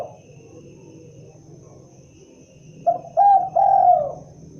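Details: Spotted dove giving a single cooing phrase after a quiet stretch of low background rumble: a short coo, a louder note and a long drawn falling coo.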